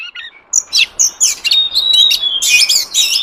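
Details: Wild forest oriental magpie-robin song used as a lure for wild birds: a quick run of varied bright whistles, chirps and buzzy trills, with one long, steady, high whistle held through the middle, then dense overlapping notes.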